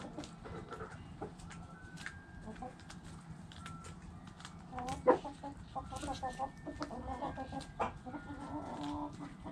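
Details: Hens clucking in a backyard flock: scattered short clucks at first, then a denser burst of quick, stuttering clucks in the second half over a steady low background hum.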